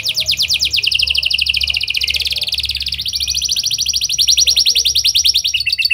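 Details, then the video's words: Canary song used as a lure to set other canaries singing, in a style copying lovebird and prinia phrases: long rapid trills of high buzzy notes, shifting speed and pitch across several sections. "Kenari Gacor Cengkok Lovebird & Prenjak! Ampuh Buat Pancingan Kenari Lain Agar Gacor Panjang"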